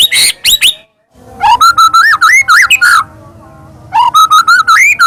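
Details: White-rumped shama song used as a lure to set off another shama: rich varied whistled phrases, wavering up and down, in two bursts split by short pauses.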